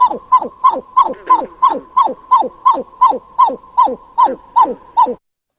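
A Pied-billed Grebe gives a steady run of about fourteen hollow, barking 'cow' notes, each sliding downward, close to three per second. No other sounds are heard.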